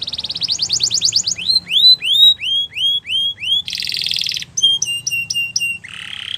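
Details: Singing Belgian canary: a rapid trill, then a row of rising, arched whistles, a loud buzzy roll, crisp repeated chips and a final lower buzzing phrase.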